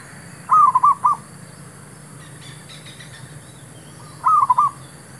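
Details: Zebra dove, a male used to lure wild birds in trapping. Two phrases of quick, bubbling coos are separated by several seconds of quiet, with a faint clicking rustle between them and a low hum.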